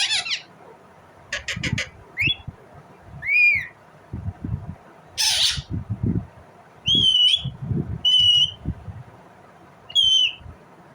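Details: Indian ringneck parrot alternating a mix of sounds: sharp ticks, a rising squawk, a harsh noisy screech, then three clear, slightly wavering whistles spaced about a second or more apart, with soft low knocks in between.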